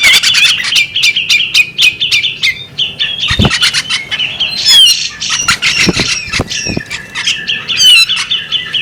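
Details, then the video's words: A female bearded magpie robin calls with a string of evenly spaced squawky chirps, then dense chattering and bright rising and falling whistles, against a steady high tone. "the alluring sound of a female bearded magpie robin"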